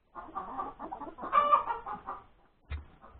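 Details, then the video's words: Hen calling after laying an egg at breakfast time on Sunday, January 31, 2021. Dense, overlapping clucking with one louder drawn squawk, followed by a low thud and renewed clucks. "the crowing of the hen that lays the egg"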